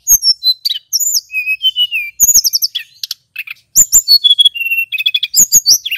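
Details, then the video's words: Lure song by a male mountain flycatcher to raise excitement in other flycatchers: rising and falling high whistles, sharp clicks and short trills in rapid, jumbled sequences. "Suara Tledekan Gunung PIKAT"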